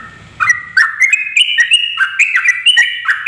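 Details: Yellow-vented bulbul calls used to lure a male: a female's voice with bright, bubbling chirps and short warbled phrases, rising and falling quickly, nearly continuous after a low rumble at the start.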